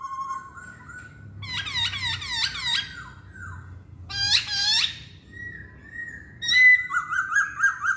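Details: Chinese hwamei singing: a low whistle, then a quick series of bright downslurred notes, a harsh rasping burst, a long level whistle, and finally rapid high warbled notes repeated in a fast string.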